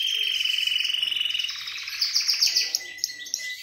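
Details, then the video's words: Syrian canary with a fast, even rolling trill, then bright, high repeated chip-like notes and a thin sustained whistle. "تغريد كناري سوري"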